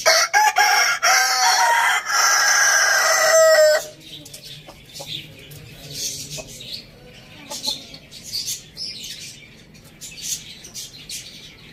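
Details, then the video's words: Rooster in a farm village crowing loudly for nearly four seconds, a rich harsh crow that ends abruptly, followed by soft high chirps of small birds in the background. "Amazing rooster crowing sounds"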